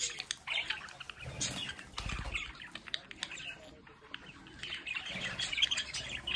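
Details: Indoor pet budgerigars beside a window chirp and warble while a burst of fluttering wingbeats sounds around two seconds.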